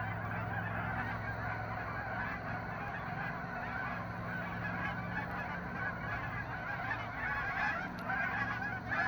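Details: Massed honking from a flock of hundreds of geese, a thick constant din of overlapping calls that swells slightly near the end, over a low steady hum.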